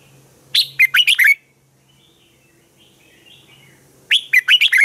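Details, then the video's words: Red-whiskered bulbul morning song for training other bulbuls to sing: two fast runs of five or six bright whistled notes, separated by a quiet stretch of nearly three seconds with faint soft warbling. "Chào mào hót sáng hay"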